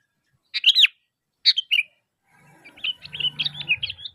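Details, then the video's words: Sooty-headed bulbul calling to lure answering bulbuls: a couple of bright slurred phrases, then a continuous run of quick chattering notes over a low droning hum. "Suara Asli Kutilang Gacor Memanggil, Kutilang Pasti Nyaut"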